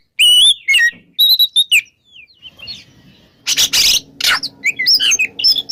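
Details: Oriental magpie-robin singing in the morning in the open, loud ngeplong style: bright high whistled phrases with swoops, a quiet pause, then a burst of harsh buzzy notes mixed with quick chirps.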